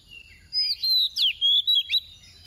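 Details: Female decoy oriental magpie-robin singing softly in the 'tìu tíu tiu' style, used to stir males into song: a short run of high, clear whistled notes, some sliding down and some rising, about six bursts in under two seconds.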